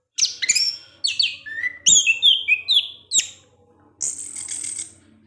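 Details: Orange-headed thrush in evening song that provokes other thrushes; a quick run of downslurred whistles and sharp chips, ending in a sustained high hissing note.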